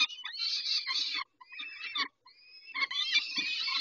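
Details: Peregrine falcons feeding on 19 May 2021, late morning: loud rasping screeches, then a quieter stretch with a long thin whistled note, then another burst of harsh calling and scuffling.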